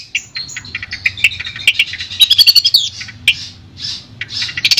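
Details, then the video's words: Long-tailed shrike from Madura singing clearly, used as a master song: a rapid jumble of chattering and whistled notes, then a run of sharp rhythmic clicks, and breathy rising phrases near the end, with a faint low hum. "Suara Jernih Masteran Burung Cendet Madura"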